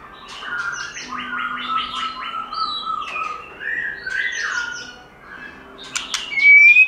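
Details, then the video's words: White-rumped shama singing in its forest-style voice, used for song training: a dense jumble of mixed whistles and harsh notes at varied pitches, ending in a clear high rising whistle. "Chòe Lửa Hót Giọng Rừng"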